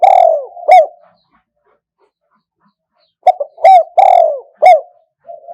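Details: Spotted dove in the wild 'kuk hoi' calling style: a long drawn coo and a sharp note, a pause, then a fast run of clipped coos with one extended note, and a soft hum at the end.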